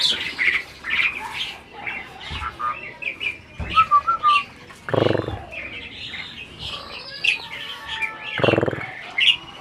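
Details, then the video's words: Adult Asian pied starling that seems to be talking, uttering a choppy series of squeaks, short whistles and rough chatter separated by brief pauses, with two broader harsh bursts. "burung jalak ini malah ngajak ngomong"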